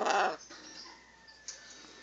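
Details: Two pet macaws; a loud, harsh, broadband squawk bursts out in the first third of a second, then the room falls quiet apart from a faint click.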